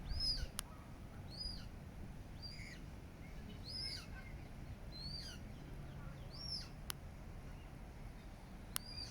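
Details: Coots and their chicks at Regent's Park, London, in July 2024; high, thin rising-then-falling peeps come about once a second through the whole stretch, with low city hum beneath and occasional clicks.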